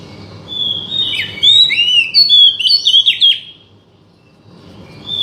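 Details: Oriental magpie-robin song, used to provoke a bird that has stopped singing into singing: rich, varied whistled phrases with quick sweeping rising and falling notes and short trills, delivered in a dense run of about two seconds, then a pause with faint background hiss.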